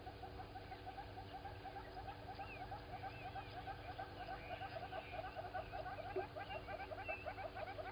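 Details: At 07:53 on 16 September 2020, a Southern Red-billed Hornbill walking around Gowrie dam waterhole, Djuma Game Reserve, Sabi Sand, South Africa, gives a steady, rapid run of hollow clucking notes, with thin chirps of other birds above and a low rumbling hum beneath.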